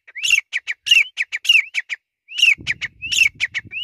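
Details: Grey francolin calling loudly: sharp, high, repeated phrases, each a rising slurred note followed by several short clipped notes. There is a brief pause partway through, and a faint low rumble underlies the second half.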